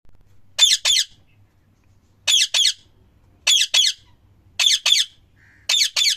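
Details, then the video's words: Parrot giving loud calls: harsh, high screeches in quick doublets, about five pairs spaced a second or more apart, with a faint low hum in the background. "Parrot chirping sound | Parrot Loud Calling Sound | Parrot natural sound"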